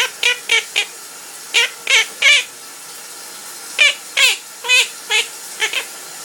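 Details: Pet parrot that sings during its owner's shower, uttering a series of short wavering squeaky warbles, in groups of two or three notes, roughly twelve in six seconds, against steady rushing shower water.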